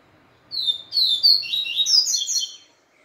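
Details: Papa-capim seedeater song stirred up by a day spent with a female: a clear opening whistle followed by a rapid, jumbled run of high chirps and trills lasting about two seconds.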